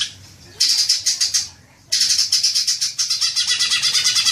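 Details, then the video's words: Green magpie, a lure recording meant to trigger long chattering: rapid harsh chattering notes, high and dense, in two bursts, the second longer with steady repeated pulses after a brief pause. "Pancingan suara cuca ijo agar cepat ngekek panjang"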